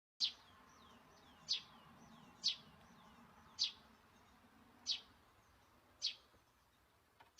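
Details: Great spotted woodpecker calling in a wildlife garden with bird feeding: seven sharp, high, clipped single notes, each given about every second, with a soft low rumble in the background.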